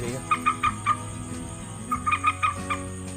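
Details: A common moorhen sound used as a playback lure to catch moorhens at night gives two quick bursts of four clipped, clucking kek notes, about five per second, over a steady low drone.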